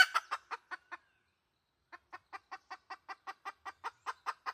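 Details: Red junglefowl hen, decoy call: a few loud clucks fading out, a one-second gap, then a regular series of about fourteen clucks growing slightly louder.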